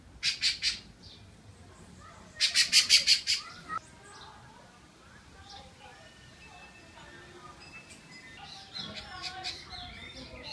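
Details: A Rufous-bellied Thrush (sabiá) gives harsh, clucking alarm notes in bursts of three, then six or seven, while strongly defending its nest with chicks, which are waiting for food. Softer scattered calls follow. Barra do Jucu, Vila Velha, Brazil, October (spring) 2014.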